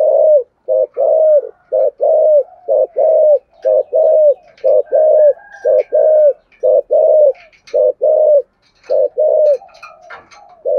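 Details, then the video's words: Spotted dove used as a decoy, cooing 'thúc gù' with a 'giọng thổ' voice: steady stream of deep, soft, slightly falling coos at about one per second, with faint chirping from other birds. "cu gáy thúc gù giọng thổ hay, tiếng chim cu mồi gáy gọi"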